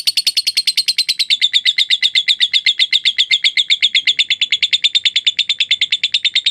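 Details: Lovebird delivering a long ngekek trill, used as a master recording for training other birds: a fast, steady run of sharp, buzzy chattering notes, about seven per second, sustained throughout without a break.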